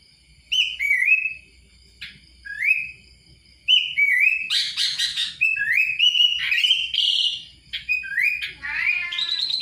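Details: Kutilang whistling phrases of upward-sliding notes separated by short pauses. A burst of buzzy chatter comes in the middle, and a rising whistle closes the passage.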